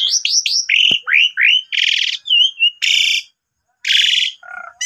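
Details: Lure song of an Asian pied starling (jalak suren) singing actively, filled with borrowed phrases. Rapid chain of upward-flicking whistles, then harsh buzzy bursts, with a brief pause before more grating notes.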